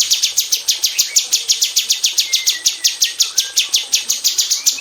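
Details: Female cucak cungkok bulbul in an aviary, delivering close rapid 'tembakan' song for magpie robin training: an even, unbroken stream of sharp high downslurred strokes, roughly five a second, with faint sliding whistles beneath.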